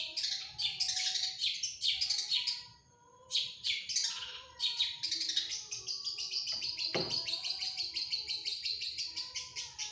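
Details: Long-tailed shrike in full song packed with mimicked fill phrases: rapid high, scratchy bursts and sweeping notes, a brief pause, then a long run of fast chattering warbles.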